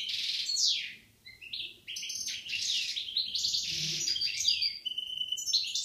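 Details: A European goldfinch pair, recorded in Algeria in 2016, sings a fast, continuous tinkling song of rapid trills, buzzy slurs and high liquid twitters, with a brief pause near the start.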